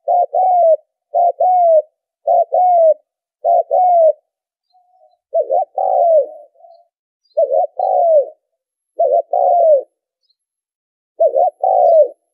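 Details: Spotted dove cooing used to draw in birds: a steady run of low two-part phrases, clipped note plus falling coo, repeated in an uneven rhythm over about twelve seconds.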